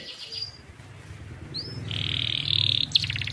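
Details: Young canary, used as a tutor song to set quiet canaries singing, gives a short upward sweep then dense buzzy trills over a low steady hum.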